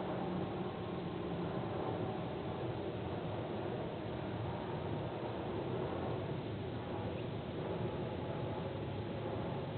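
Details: Even, unbroken rushing noise like distant traffic or wind, holding one level throughout with no animal calls.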